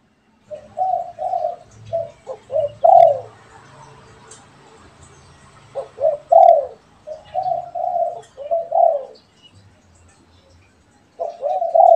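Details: Spotted doves, one pet and one wild, answering each other: mellow, mid-pitched coo phrases in short series, each ending with a stronger rolled note, separated by pauses of a few seconds.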